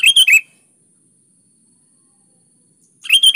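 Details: Sooty-headed bulbul in lively full song, used as a lure to prompt reluctant birds to answer: two quick bubbly, chirpy phrases of short notes, then a long silence before the next phrase begins.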